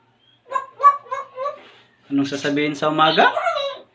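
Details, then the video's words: Pet African grey parrot, a talking bird, imitating animal sounds on request: four short, evenly spaced voiced syllables, then a louder, drawn-out harmonic call with a rising ending, indoors. "talking parrot | African grey parrot"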